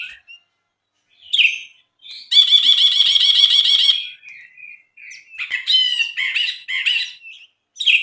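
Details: Brinji (bulbul) song used as a training recording for caged songbirds: a long harsh, buzzy, harmonic-rich rattle, then loud, varied chirps and short slurred notes. Pauses separate the phrases, with no other sounds.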